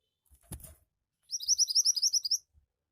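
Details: Javan white-eye, a kept songbird, giving a fast trill of about ten high, rapidly repeated chirps over roughly one second, preceded by a brief low thump.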